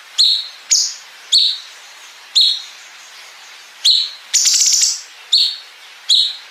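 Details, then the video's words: Bulbul (cungkok) training song for competition birds: clear high downslurred chirps repeated at uneven intervals of one to two seconds, with one short buzzy rattling trill near the end. "MASTERAN GACOR CUNGKOK ISIAN BREN PANJANG SAMBUNG NGEPIK"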